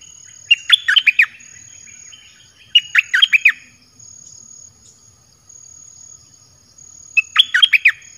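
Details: Dok taeng song from a caged red-whiskered bulbul, played to lure wild birds. Three bright, rollicking phrases of four or five slurred whistles each, spaced roughly two to four seconds apart, over a faint high drone.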